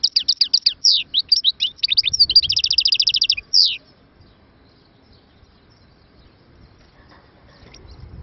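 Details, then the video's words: European goldfinch song opens with quick scratchy twitters and builds into a buzzy, metallic trill lasting about a second. It ends abruptly, followed by quiet low background hum. "مقنين_مبدع نوطات ولا أروع"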